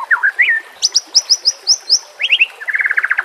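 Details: White-rumped shama song used as a lure and for training silent birds: a varied run of rising whistled notes, then quick high slurred phrases repeated about every quarter second, ending in rapid chattering trills.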